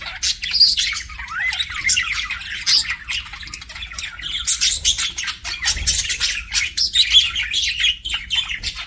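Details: Pet parakeets twittering and squawking: rapid rising and falling warbled notes mixed with harsh bursts, loudest in a dense patch midway, a faint low thump near the end.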